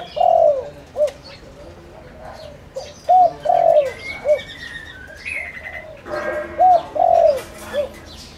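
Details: Decoy spotted dove coos repeatedly to attract wild doves: three phrases of a short coo, a long descending coo and a quick final note, with small birds chirping faintly behind.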